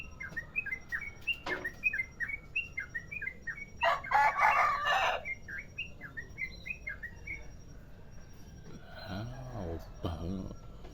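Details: Yellow-vented bulbul of the Merapi type singing a long rapid ropel song: short chirped whistles near two kilohertz repeated several times a second, broken by a loud burst of noise midway and a rooster crowing near the end.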